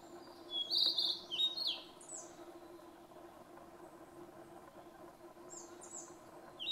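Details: A Narcissus flycatcher (Ficedula narcissina) sings on 5 June 2015 near Mount Fuji: one quick, bright, high phrase of warbled whistles, then fainter high notes, over a steady low hum.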